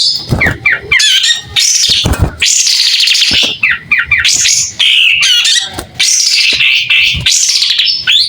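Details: White-rumped shama in active song with tail fanned, clear tone; rapid sequences of high whistles, sweeping notes and harsh chatter follow one another with short breaks.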